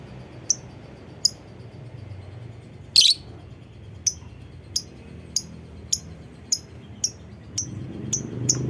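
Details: Lovebird call used as a lure to prompt other lovebirds to sing: sharp, very high chirps repeated steadily about every half second to second, with one louder, harsher burst early on, over a quiet low hum.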